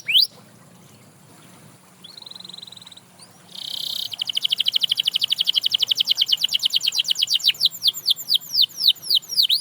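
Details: Canary song meant to set other canaries singing: after a quiet start and a brief steady whistle, a long fast trill of repeated notes builds, then slows into looping downward whistled sweeps.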